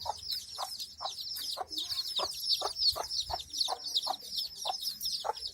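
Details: Village hen with chicks: a dense chorus of high, sliding chick peeps runs continuously above rhythmic low clucks repeated about three times a second.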